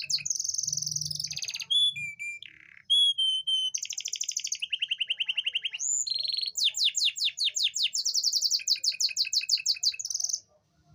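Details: Male-style canary song meant to excite females that are slow to mate: a long, varied performance of buzzy rolls, steady pure whistles and very rapid trills, several rattling series repeated many times per second, in a quiet setting.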